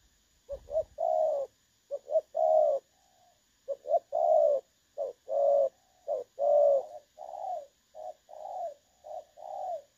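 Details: Clear-toned spotted dove calling in the 'dong son' style, recorded as a trapping decoy, 16 August 2024: a steady series of low, soft coos, short notes leading into longer ones, with brief gaps and a faint knock near the start.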